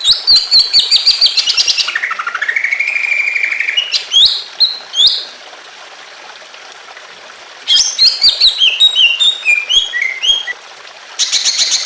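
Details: Greater green leafbird in emotional song with water sounds, used to make other leafbirds sing: a rapid stuttering trill rising into a long sweeping whistle, a gap, then a dense run of varied chirps and rattles.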